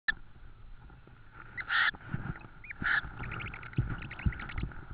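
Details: Tawny owl at its nest with prey in Estonia, 6 May 2013, just after 21:00: two short, harsh, hissing screeches about a second apart, followed by thin high chirps and clicks and rustling knocks.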